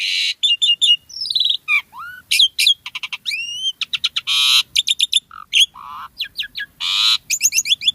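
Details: Black-winged starling in vigorous, varied captive song: quick sequences of clear whistled notes, rising and falling slurs, buzzy bursts and chattering trills that follow one another almost without a break.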